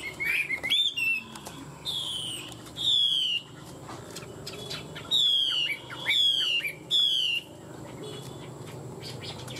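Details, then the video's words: Chinese hwamei in fighting-style song, one of two birds caged for three years: bright, high, downward-sliding whistled phrases with buzzy edges, delivered in separate bursts about every second amid quiet pauses. "Họa mi hót đấu"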